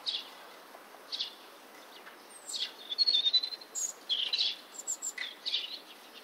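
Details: A European robin sings in Bratislava on 29 March 2013: short, high, thin phrases of liquid warbles and sweet whistles, each separated by brief pauses, against a quiet background.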